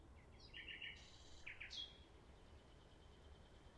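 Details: Common nightingale singing faintly: a few soft chirps, a quick cluster of pulsed notes, a short pause, then two more clipped notes and a thin high whistle, with steady low background noise.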